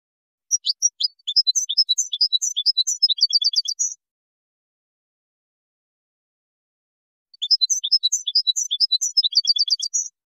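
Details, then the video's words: Widani-style song composition by a Moroccan European goldfinch, 2019: two bursts of rapid high twittering, each about three seconds, separated by a long silent pause and closing with clustered trilled notes. "الحسون المراكشي الأصيلي تركيبة ويدانية"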